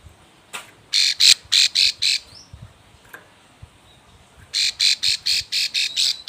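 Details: Breeding-condition female Plain Prinia calling for a male, used as a lure: short runs of harsh, buzzy high chips, about four per second, separated by a few seconds of near silence.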